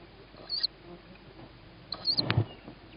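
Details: Tawny owl chick hearing its mother while a sibling gets first food on the roof, May 2017 evening; two drawn-out high wheezy squeals, the second followed by a sharp thump and scraping.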